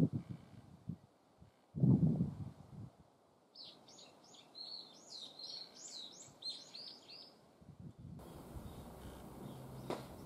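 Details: Barn swallow chicks on the day they fledged, flying strongly far from the nest: a quick run of sharp, high twittering chirps lasting about four seconds, with low rumbling thumps and rustling before and after.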